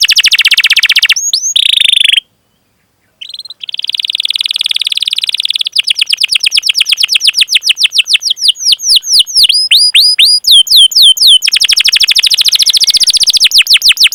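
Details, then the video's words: Canary song used to stimulate young, untrained or silent canaries to sing, long chirping with rolling: fast high buzzy trills, a brief silence near two seconds, then rapid repeated downward-sweeping chirps and a dense rolled trill to the end. "Masteran Suara Burung Kenari Gacor Panjang cuit cuit Ngerol untuk Pancingan Kenari!"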